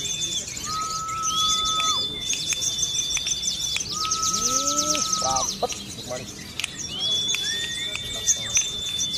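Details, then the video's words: Sunda leafbird kept in Kebumen, its song stuffed with ciblek (bar-winged prinia) phrases: rapid high ticking trills alternate with long, flat, pure whistles at several pitches and a few down-slurred notes, amid other birds and faint talk. "SOGON MATERI CIBLEK"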